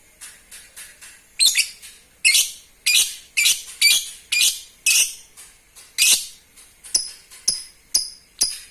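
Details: Lovebird calls played to stimulate breeding: loud, harsh, screechy chirps roughly twice a second, followed by thinner, cleaner high chirps evenly spaced at the close.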